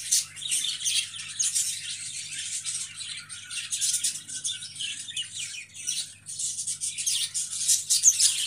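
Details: Continuous high chattering from budgerigars, overlapping chirps and scratchy warbles swelling and fading over about eight seconds, with a low background hum.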